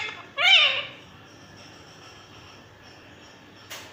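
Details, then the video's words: A pet talking green rose-ringed parakeet gives one brief, warbling, speech-like phrase of about half a second, followed by a quiet room and a single click. "talking parrot green ringneck"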